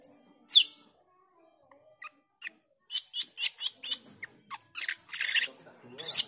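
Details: Black-winged myna call followed by ngriwik and teler, a lure for training cucak keling: a sharp opening shriek, scattered thin notes, then a rapid run of harsh, rasping chattering bursts repeated several times a second.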